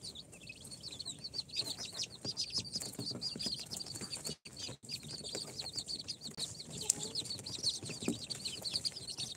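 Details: Chorus of newly hatched chicks, four days out of the incubator, including Sultan, Golden Sebright, Cochin and booted breeds: many overlapping high, thin peeps, short downward-sliding notes repeated rapidly and continuously, with soft shuffling and tapping below.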